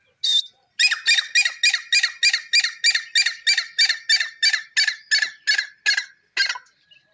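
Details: Grey francolin, or teetar, calling in a natural setting: one higher opening note, then a loud, harsh run of about fifteen rapid notes repeated evenly around three per second, ending abruptly after six seconds.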